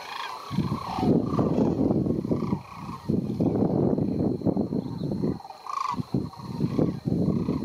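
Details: Sandhill cranes on migration at the White Water Draw area in southern Arizona: a dense, continuous chorus of many low, rolling, overlapping calls, with brief gaps and occasional louder rattling notes standing out.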